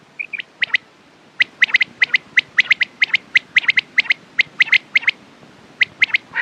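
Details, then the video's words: Quail sound meant for morning and night: after two soft opening whistles, rapid sharp high notes follow steadily at about one per second, often doubled, in a fairly even run. "Quails sound best sounds use morning and night time mast awaz saaf awaz"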